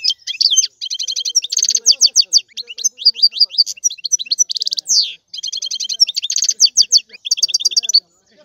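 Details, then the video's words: Sustained European goldfinch song, a dense run of tinkling, twittering phrases with fast trills and buzzy notes, almost continuous with only short breaks. "لا يمكنك ان تسمع اقوى من غناء هذا الحسون"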